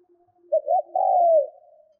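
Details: Spotted dove used as a decoy, giving one coo phrase of quick broken notes and a long, mellow, gently falling tone, over a faint, steady, low background tone.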